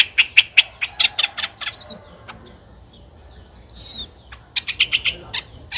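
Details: Nine-day-old Streak-eared Bulbul chicks in Ubon Ratchathani, Thailand, recorded 11 April 2023, two days after their eyes opened: clusters of harsh, buzzy chirps, a quiet gap with faint slurred whistles, then another quick cluster of chirps.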